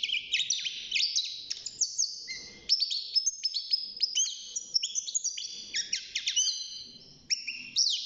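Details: European goldfinch, a caged six-month-old beginning to sing, delivers a long, fast medley of high twittering, buzzy and liquid notes with many quick slurs, pausing briefly near the end.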